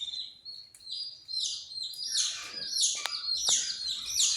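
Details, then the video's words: Australian parrot giving a run of high chirps and squeaky, twittering calls, starting thin and sparse, then building into dense overlapping bursts with a couple of sharp clicks. "Australian parrot"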